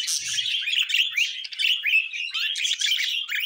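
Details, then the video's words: Budgerigar chatter, loud and close: tumbling squeaky chirps and short rising whistles in a dense, unbroken warble. "Budgies Moments Collection"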